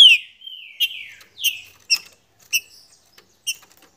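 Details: Green-winged saltator phrase: a slurred whistled opening falling away, followed by a series of short sharp chips spaced about half a second apart.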